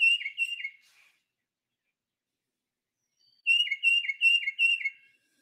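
Tufted Titmouse song: clear whistled two-note phrases, a higher note slurring down, repeated quickly in sets of three and four, like peter-peter-peter.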